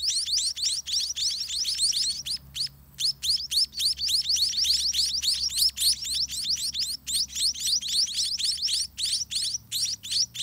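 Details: Spotted munia nestlings, grown and hungry, begging as parents feed them at a dirty nest; rapid, shrill upslurred chirps pour out almost without break, a short lull near three seconds, then the frantic chorus resumes.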